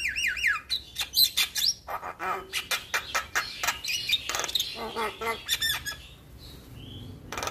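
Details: Lively gacor song of a Javan myna, recorded as tutor material for young birds; it opens with looping whistles and then runs into rapid, rhythmic, scratchy chattering, about four notes a second, before fading into soft whistles.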